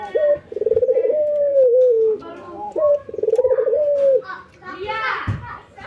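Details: Training session of ringneck doves, white albino versus local, nodding and laughing; two rapid rolling chuckles each settle into a drawn-out coo, followed by a child's voice.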